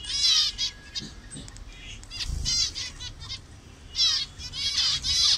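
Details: A colony of zebra finches in Bangladesh gives overlapping high, buzzy, nasal calls in quick bursts, with soft wing flutters between the calls.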